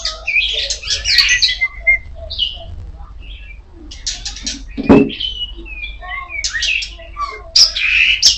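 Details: Oriental magpie-robin of the kacer poci type singing loudly: a varied stream of bright whistles, rapid chirps and buzzy bursts, with short pauses between phrases and a brief low thump midway.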